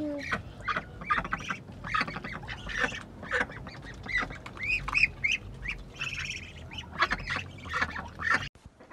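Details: Several ducks taking a bath in a mini pool quack rapidly and repeatedly, short nasal calls overlapping in busy bursts, over a steady wash of splashing water.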